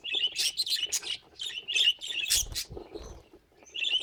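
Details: Pet budgerigar giving bright chirruping warbles in quick clusters, a short pause, then a few more squeaky notes, with soft low knocking sounds midway.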